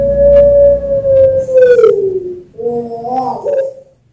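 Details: Zebra dove song from a bird farm in Sragen, Central Java, meant to stimulate other doves: a long even hoot sliding downward, followed by a quick wavering, gurgling phrase ending in a short rise.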